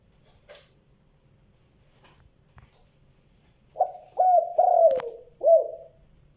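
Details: Spotted dove calling in the good 'giọng đồng', two-note, cut-off-ending style. Near silence with a few faint clicks gives way to one phrase of four low, mellow coos, the third long and falling, near the end.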